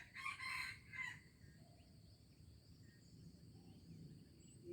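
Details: Junglefowl recorded in Aceh on 25 April 2020, giving a distant, hoarse crow of a few clipped syllables at the start, half-buried in steady insect hiss and low rumbling background noise.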